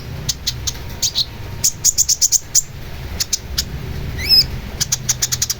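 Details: Long-tailed shrike singing energetically, used as a training recording for songbirds: sharp high ticks and short chirps in quick bursts, separated by one rising, slurred whistle, over a low steady rumble.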